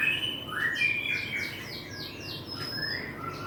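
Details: Young White-rumped shama, 25 days old, hatched on 30 March 2024, utters a fast string of thin, descending whistled slurs, about six in quick succession, with lower rising whistles beneath and steady background hiss.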